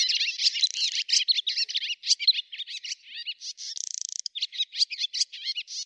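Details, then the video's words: Swallow from Russia singing a fast, continuous high twitter of slurred chirps and warbles, broken midway by a short buzzy rattle, then more twittering. "Ласточка. Голоса птиц Росии"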